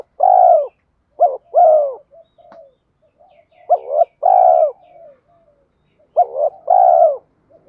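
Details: Spotted dove used as a lure bird with a mixed rural-field voice style for training wild doves: loud low coo phrases, each a quick stuttered double note then a long drawn coo falling at the end, repeated about every three seconds, with soft murmurs between.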